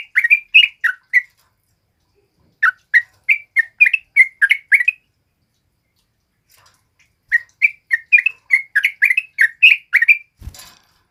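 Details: A male sooty-headed bulbul, a nonstop singer for training other birds, gives bursts of rapid lilting chirps, a pause of over a second, then more bursts of quick rising and falling notes, ending with a soft knock.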